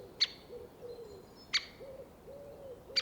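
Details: Great Spotted Woodpecker in forest giving three sharp, high, brief and percussive 'kik' calls spaced about a second and a half apart, over a faint low background murmur.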